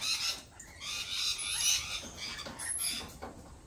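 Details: Dense lorikeet chatter: overlapping shrill, scratchy calls run almost without pause, loudest in the first half, then thinning into separate screeches.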